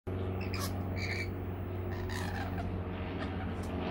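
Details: Rainbow lorikeets feeding on a sweet nectar mix give a few short, harsh screeches with ringing overtones, clustered near the start and again around two seconds, over a steady low hum.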